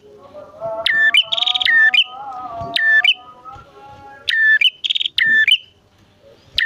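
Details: Bar-winged prinias, a male and a female, give two groups of sharp chips and brief buzzy trills separated by a long stretch of steady low humming tones.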